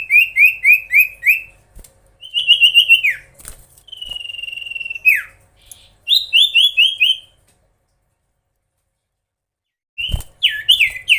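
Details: Common iora (cipoh) singing hard to provoke opponents: quick series of repeated downward-slurred whistles, a steady held whistle dropping at the end, another run of rapid notes, a silent gap, then renewed whistles.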